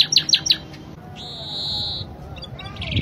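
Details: Spanish Timbrado canary in a tutor recording: three sharp chips, a pause, then a sustained steady metallic trill lasting about a second, ending with a faint rolling phrase.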